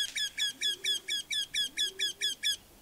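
A Eurasian wryneck gives a loud, nasal, slightly plaintive series of eleven even 'quee' notes, about four per second, with faint low hum beneath.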